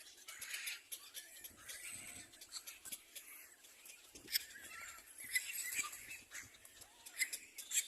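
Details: Baby little black cormorants jostling for food: a scratchy, continuous stream of high wheezy begging notes with sharper squeaks breaking out now and then over eight seconds.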